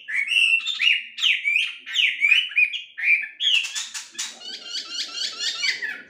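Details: A wambi (melodious laughingthrush, Garrulax canorus) sings a fast run of bright, slurred whistles, each phrase about half a second long, then breaks into quick, buzzy, chattering trills.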